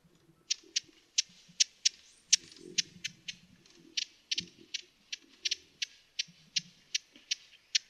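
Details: Broad-billed hummingbird giving dry, clicking chip notes, sharp and high, in an uneven series of about twenty over eight seconds, with faint low rustling underneath.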